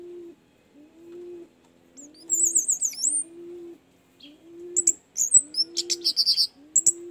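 Orange-headed thrush song: high, bright whistled phrases and quick chirpy trills in bursts, over a steady low cooing hum repeated about once a second.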